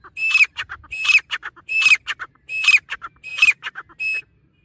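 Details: Grey francolin voice: five loud, piercing whistled calls with a rising-falling bend, evenly spaced under a second apart, each framed by short rattling notes. A faint low rumble sits underneath.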